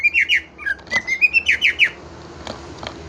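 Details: Greater green leafbird singing: a quick run of bright, downward-slurred whistled notes, then shorter chattering phrases, fading out toward the end.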